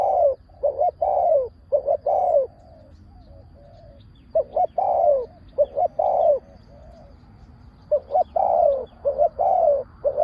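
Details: Spotted dove used as a decoy bird to lure wild doves, calling in loud, clear coos around 500–1000, short notes and longer downslurred coos in phrases of four to six, separated by pauses of a second or two.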